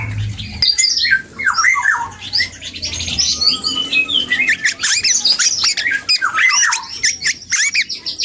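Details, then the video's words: Young black-and-yellow oriole learning to sing, giving a steady flow of varied whistled slurs, rising and falling notes mixed with chattery squeaks throughout. "KEPODANG HUTANG muda||belajar ngoceh"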